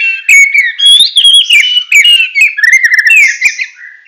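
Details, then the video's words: Continuous full tembakan song of a Medan white-rumped shama: rolling whistled phrases that rise and fall, with flicking high notes and short rapid trills woven through. "Murai Batu Medan Full Tembakan"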